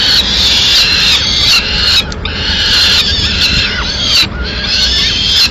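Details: Peregrine falcons in Madrid, Spain, on 30 April 2016 as the female brings in pigeon leftovers: strong, harsh screeching phrases of about a second, split by brief breaks, over light city background noise.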